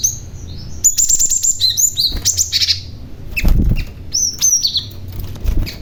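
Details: Cinereous tit, a male stone tit kept as a lure for other tits, calling in rapid whistled slurs and a dense chattering flurry, with sharp clicks and knocks and low rumbling in the background.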